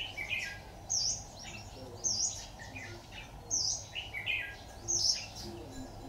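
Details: Decoy red-whiskered bulbul singing beside a trap on 26 October 2019: thin, high, sharply bent notes about once a second, with lower chirpy twitters between them and faint background noise.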